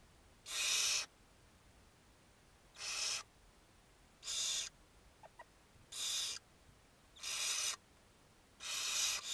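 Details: Barn owl (Tyto alba) begging calls at feeding time at a nest, 2 June 2022: harsh, hissing snores about half a second long, repeated every one and a half seconds, with a faint tick between them.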